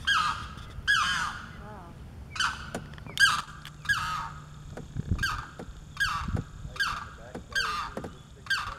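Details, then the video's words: A limpkin on Blackwater Lake, Eustis, Florida, in breeding season calls for its mate with loud, harsh, wailing screams repeated about every second over a low hum. "The Limpkin calling"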